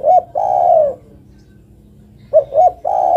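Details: Spotted dove female calling a male: the end of one coo phrase, then after a gap a full phrase of two short notes and a long sustained coo.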